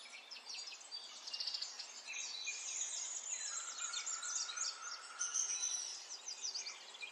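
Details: Chorus of spring songbirds in nature, many high chirps and twitters overlapping, with a drawn-out level whistled note running for about two seconds in the middle.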